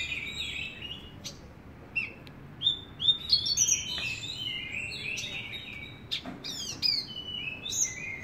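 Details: Javan bush lark singing steadily, a busy run of high chirps, trills and short whistled slurs with sharp clicks, loudest bursts near three and seven seconds.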